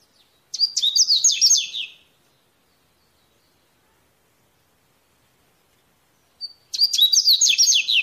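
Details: Double-collared seedeater singing in the wild, two quick, high twittering phrases of varied chips and trills, each about a second and a half, separated by a long silent pause.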